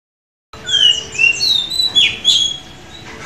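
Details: Caged Oriental magpie-robin at a bird auction in Semarang, Indonesia, recorded at midday; after a moment of silence it sings a rich run of clear, varied whistles, some sliding up or down, with a few buzzier notes.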